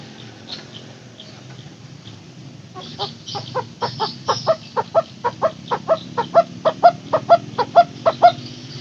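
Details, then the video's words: Barbet (takur teguk teguk) call made to coax silent barbets into calling: after three quiet seconds, evenly paced hollow tuk notes begin, about two per second, growing louder toward the end. "Suara asli burung takur teguk teguk"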